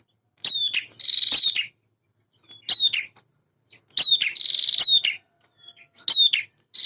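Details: Energetic song of a male prinia: a high, sliding chip leads into a long buzzing trill, repeated in three or four bursts separated by brief silences.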